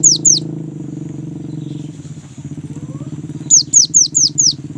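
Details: Young great tit singing continuously, used as a lure to make other great tits sing: sharp high descending whistled notes, two at the start and then five in quick succession near the end, over a steady low engine drone.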